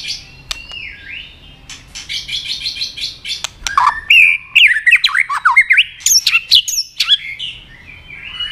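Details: White-rumped shama goaded into fight-singing; soft buzzy notes at first, then loud rapid zigzagging whistles and high sharp chips in a busy, jumbled sequence.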